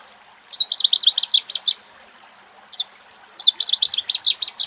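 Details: Cetti's warbler singing in Axios Delta National Park near Thessaloniki, Greece, where little egrets rest: loud, explosive bursts of fast, high, repeated notes, one lasting over a second, a single short note, then another burst.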